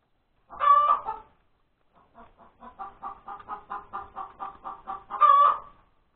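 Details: Hen on Sunday, January 31, 2021, cackling at breakfast time after laying an egg. A loud squawk comes first, then about a dozen evenly spaced clucks lead into a second loud squawk.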